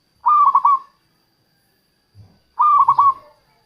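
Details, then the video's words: Local zebra dove used as a lure for wild doves: two loud, brief, rolling coo phrases, about two seconds apart, with a soft thump between them. "suara perkutut lokal untuk pikat dan pancingan"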